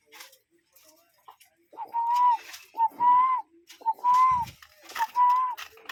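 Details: Cuckoo calling in nature, real bird: four clear whistled notes, each a short lead-in followed by a longer, slightly arched tone, repeated about once a second with faint background rustle.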